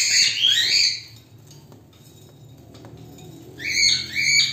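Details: Lutino (white) cockatiel whistling and singing in bright, warbling bursts that rise and fall, with quiet pauses between phrases.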